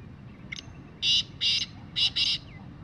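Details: Kala teetar, the black francolin, gives a soft lead note followed by two pairs of rasping, scratchy bursts in quick succession, with faint low rumble beneath.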